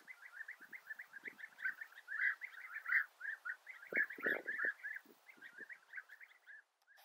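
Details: European bee-eaters, several birds giving continuous rolling, throaty trilled notes in overlapping chorus, swelling and fading, with a few low, rough thuds mixed in midway.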